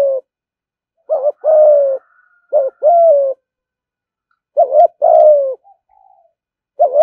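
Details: Caged spotted dove kept as an ornamental bird, giving its 'thúc gù' cooing style: low mellow phrases of a short clipped note followed by a longer, slightly falling coo, repeated in pairs with quiet gaps between.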